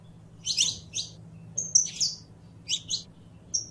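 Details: Saffron finch giving rich, slightly buzzy high chirps and a drawn whistle, in uneven bursts roughly every half second to second, with a soft hum beneath.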